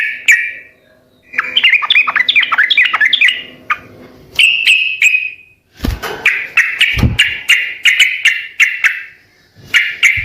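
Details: Sooty-headed bulbul song for getting other birds to respond: a warbled, rising-and-falling chatter, then strings of sharp ticking notes over a steady ringing tone, separated by short gaps, with a couple of low thumps.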